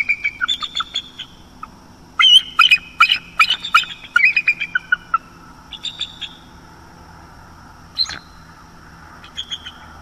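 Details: Bald eagle pair at their nest on the northeast coast of Florida at night in October, the female restless and unable to sleep; high thin chittering and piping notes in bursts, with quiet pauses between.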